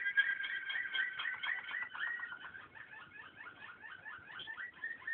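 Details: Waterslager canary song of continuous bubbling, water-like rolls, about four per second, warbling up and down in a fairly low register without a break.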